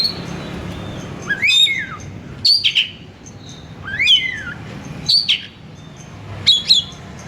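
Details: Kacer, the Oriental magpie-robin, song used to lure another kacer: sweeping up-and-down whistles alternating with sharp high notes, roughly one phrase every second or so.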